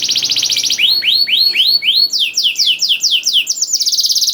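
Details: Canary song played to prompt other canaries to sing: a fast high trill, then a run of rising swept whistles about every quarter second, turning into higher slurred notes and ending in another rapid buzzy trill.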